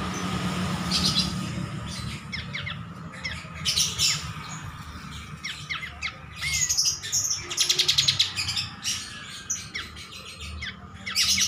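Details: Kapas tembak bulbul singing energetically, used as a master recording for training; rapid, varied high chirps and quick rising and falling whistled sweeps, bursting in irregular clusters several times a second, over a steady low hum and background noise.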